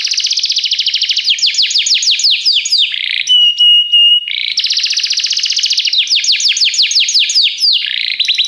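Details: Training song of a canary: rapid rolling trills of repeated descending sweeps, broken midway by a short run of steady piercing whistled notes, then trills resume, bright and unbroken.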